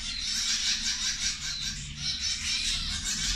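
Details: Zebra finches feeding at lunchtime, a brief stretch of unbroken, high-pitched, pulsing twittering from many birds at once, with a faint low rumble underneath.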